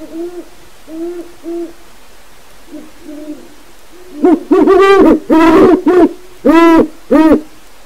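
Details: At night, captive great horned owls, a pair in an aviary, give deep, resonant territorial hoots in a stuttered series, loud and close, after softer distant hoots from wild owls, including an unknown female, answer at the start.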